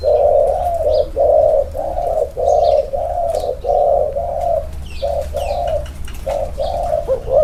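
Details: Two male spotted doves placed side by side to compare their inner-circle cooing style; a long run of low, hollow coos, each about half a second, repeated almost without pause, with faint higher chirps from other birds behind.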